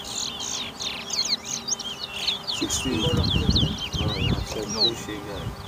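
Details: Competition singing of a chestnut-bellied seed finch (towa towa) at a Lamaha Street bird ground in Georgetown, Guyana, 2023; rapid chains of high, slurred whistles throughout, with men's voices rising in the second half.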